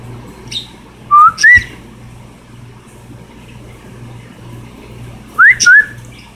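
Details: A pet cockatiel gives two pairs of short, clear whistles that slide upward, separated by a few seconds.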